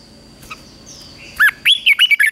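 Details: Red-whiskered bulbul at morning training, giving a sharp note followed by a run of rapid, wavering whistled notes that end in short chirps.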